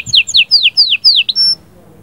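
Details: Canary song meant to prepare a female for breeding: five or six clear down-slurred whistles in quick succession, ending with a short steady high tone.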